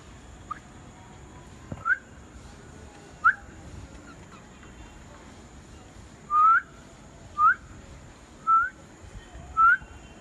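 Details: Friendly visiting cockatoo giving short, clear, rising whistles, about six in ten seconds at an uneven pace, over a faint steady hum.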